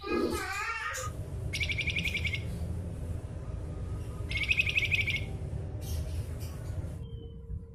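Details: Javan fulvetta, endemic to Java, in 'nyuling' song: two separate bursts of rapid, buzzy, rattling trills with a pause between them, heard through loud steady background noise and a brief higher squeak at the start.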